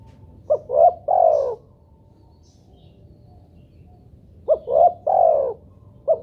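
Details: Spotted dove calling on a lure recording intended to make doves answer. Two three-note coo phrases about four seconds apart, each ending in a long soft coo, with the start of a third phrase at the end.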